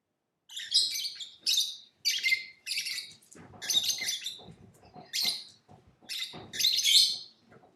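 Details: Lovebird chirping in a series of harsh, shrill, broadband chirps and squawks, each about half a second long, given in quick bursts with brief pauses between them.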